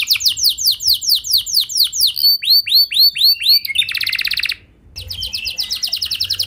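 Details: Canary singing as a lure to set other canaries singing: fast downslurred whistles, then slower sweeping notes, a dense buzzy trill, a brief pause, and a renewed rapid roll.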